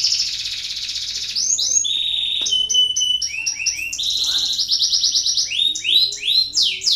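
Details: Canary singing in a recording meant to spur lazy canaries to sing: a high buzzy roll opens, then varied short trills, sharp whistled notes and fast repeated rising sweeps follow in quick succession.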